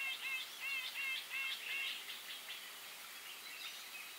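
A Grey-eyed Bulbul gives quick, high, slurred notes in a rapid series of about three a second over the first two seconds, then fainter, with soft background hiss.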